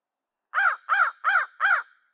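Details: Crow cawing on Christmas Day during a harassment campaign against black vultures over a food pile: four loud, harsh, evenly spaced caws, each arched in pitch, in quick succession, with no other sound.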